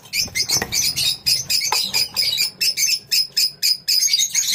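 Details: Lovebirds in a colony giving a steady stream of shrill chirps, about four every second, each short and high, with overlapping birds making the rhythm uneven.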